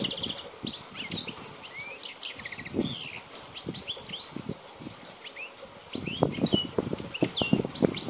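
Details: Wild Balkan goldfinch, recorded in 2010, delivers a steady run of high twittering notes, slurred chirps and brief rattles, over a background of rustling, scuffing noise that grows louder toward the end.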